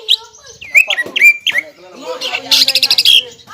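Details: Greater green leafbird in full varied song, meant to rile a rival leafbird, with slurred whistles, bent chirps and a quick run of buzzy repeated high notes near the end.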